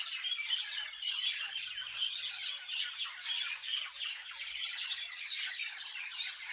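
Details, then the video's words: Village birds chirping together, many high twittering notes blending into a steady, unbroken chorus throughout. "Birds chirping in my village"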